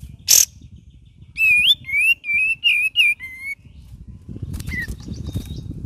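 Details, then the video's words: Cream-vented bulbul: a harsh note, then five slurred whistles, each rising and then dipping, and later a brief whistle amid rising low background noise. "KAPAS TEMBAK VARIASI GACOR DAN NGERIWIK"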